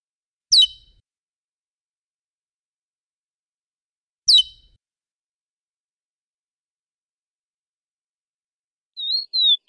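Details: Chestnut-bellied seed finch (curió) singing the classic praia song, used for teaching young birds: two sharp, high descending notes about four seconds apart, then a clear whistled phrase that rises and falls.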